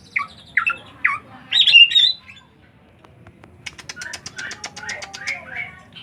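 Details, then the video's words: Several sharp high chirps and a loud whistled phrase open the recording, then a pause, followed by a fast run of clicking ticks mixed with softer chirps. "Cuman burung ngriwik"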